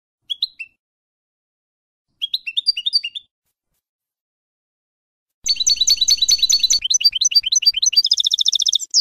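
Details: European goldfinch song used to educate young goldfinches under the F.O.C.S.E code: two short bursts of tinkling twitters separated by silence, then a long fast twittering phrase ending in a dense buzzy trill.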